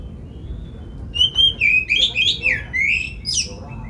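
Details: Oriental magpie-robin singing to stir other magpie-robins into full song and tail-spreading: a thin whistle, then a lively series of rising and falling whistled slurs, roughly four a second, capped by a shrill high note.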